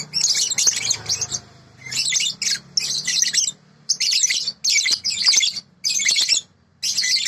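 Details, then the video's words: Sooty-headed bulbul, from a clear original song used as a master recording: regular short phrases of high, fizzy chatter, each about half a second long, repeated with brief gaps. "masteran balibu//suara asli jernih"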